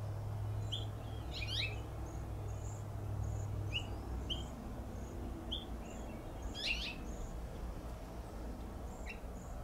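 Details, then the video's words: Male House Finch on a flowering plum tree in Pacific Grove, California, uttering sharp downward cheep contact notes, two louder bursts amid scattered short chirps and faint high whistles, over low background hum. "House Finch Call"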